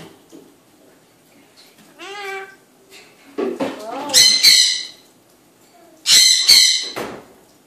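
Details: Eclectus parrot's evening talk: speech-like voiced phrases with sliding harmonics, broken by loud, harsh, broadband squawks in two bursts.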